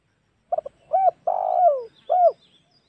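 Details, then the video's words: Spotted dove call used as a lure for hunting wild doves: one phrase of a short double note, an arched coo, a long buzzy coo sliding downward, then a last arched coo. Faint thin bird chirps sound in the background. "SUARA PIKAT MEMANCING EMOSI SEMUA TEKUKUR"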